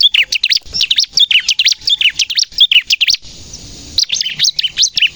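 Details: Ciblek, the bar-winged prinia, in lively song used to lure and train captive birds: a fast run of sharp chirps, a brief pause, then the chirping resumes strongly.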